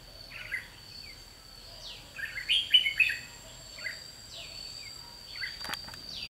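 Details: Red-whiskered bulbul decoy singing a challenge while trapping: scattered slurred, downward-sweeping notes, a dense warbled phrase around two and a half seconds, then more separate calls, over a continuous high-pitched hum.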